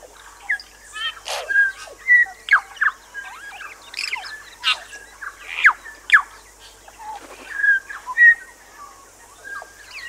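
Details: A New Zealand bellbird on Little Barrier Island, New Zealand, sings a rapid, irregular mix of clear ringing bell-like notes, sharp clicks and harsh squeaks, with phrases coming every second or so.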